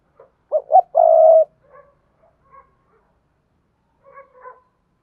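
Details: Vietnamese Dong Nai spotted dove calling as a decoy to pull wild doves in: a stuttered double note leading into one long low coo, followed by soft scattered faint notes.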